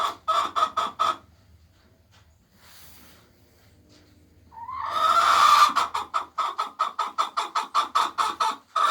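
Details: Laying hens: a few rapid clucks, a quiet stretch, then a rising drawn-out squawk leading into a long, steady series of regular clucks about two or three per second.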